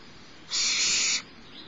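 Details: Littlest barn owl owlet begging during a feeding by its mother at Starr Ranch on the morning of 6 March 2011; one long, coarse, breathy screech of about 0.7 seconds.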